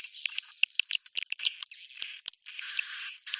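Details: Swiftlet roosting call: short bursts of chattering chirps broken by gaps, with clear high whistles that rise and then bend downward, some doubled.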